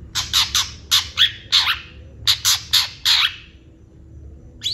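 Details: Lively Long-tailed shrike song rich in fill-in phrases: two bursts of loud, harsh, rasping notes, about nine in all, delivered in quick succession, followed by a short quiet spell.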